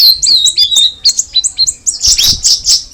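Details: Cucak rawis, the sooty-headed bulbul, gives quick high chirps and short falling whistles at first, then a denser, harsher burst of loud twittering notes near the end.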